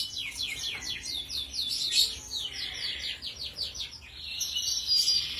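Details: Kenari Rasmi Iran canary in gacor style, rapid series of high, downslurred whistled notes rolling into continuous trills, with a faint low background hum.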